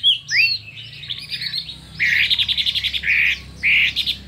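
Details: Chinese hwamei in a singing contest, delivering a varied, intense song of many voices: rising and falling whistles, then buzzy rapid trills and dense chattering phrases, with steady low background hum.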